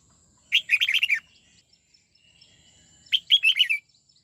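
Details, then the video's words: Red-whiskered bulbul being trained in the '89 twisting' song style, delivering two bubbling phrases of about six quick warbled whistles each, roughly two and a half seconds apart, with near silence between. "Luyện chào mào hót giọng 89 xoắn tít"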